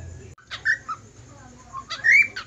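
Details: Budgerigar whistling: a few soft chirps and a short whistle, then a louder drawn-out whistle that rises and holds steady near the end.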